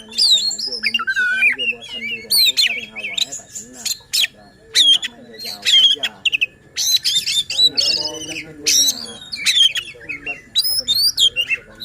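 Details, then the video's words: Long oriental magpie-robin song for goading silent or contest birds to sing: a rapid, varied mix of high whistles, harsh buzzes, and chirps in bursts, with faint human talking underneath. "Suara KACER Buat EMOSI dan NGOTOT Kacer Lain | Pancingan Kacer Malas Bunyi."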